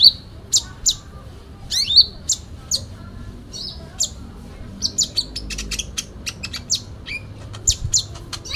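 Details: Sooty-headed bulbul singing a full fighting song with fill-in phrases: high chirps and sweeping squeaks, then a fast stuttering run of clipped high notes, over a quiet background.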